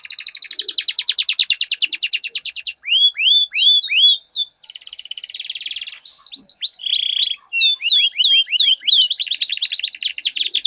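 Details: Two canaries duelling in song, meant to prompt a quiet canary into long rolling song; a long rapid rolling trill gives way to sharp falling whistles, a buzzy stretch and another fast trill.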